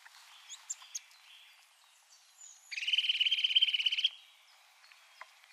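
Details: Eurasian Nuthatch song in winter: faint scattered chirps, then one loud, quick run of evenly repeated whistled notes lasting about a second and a half.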